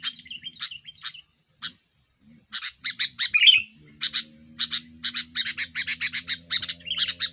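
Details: Aggressive sooty-headed bulbul song to pressure rivals, used as a lure: sparse whistled and chattering notes at first, then a long fast series of grating chirps, with a low steady hum in the background.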